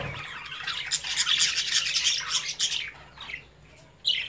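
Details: Pet budgerigar chicks playing in their cage as the adults watch; dense, fast budgie chatter of squeaky chirps and squawks for about three seconds, then quieter gaps and a final loud chirp.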